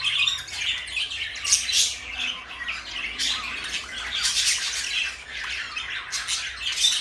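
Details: A blue and a light yellow pet parakeet keep up harsh squawks and brief bright chirps, loud bursts arriving in irregular waves with quieter pauses between.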